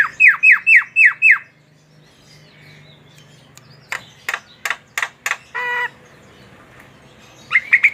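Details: Javan myna, a tame bird kept in captivity, singing: a run of five falling whistled notes, then a pause, sharp clicking bursts and a harsher buzzy note, ending with brief whistles.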